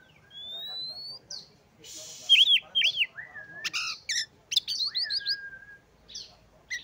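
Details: Varied Oriental magpie-robin song packed with mimicked fill notes: a long rising whistle, a noisy burst, twin arched notes, then flat drawn-out whistles and buzzy trills, over faint background hiss.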